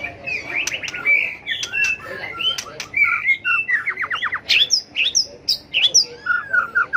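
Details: White-rumped shama singing competitive fighting song while flicking its tail, used for training birds; dense, varied chatter of harsh and whistled notes with a fast burst of downstroked notes midway.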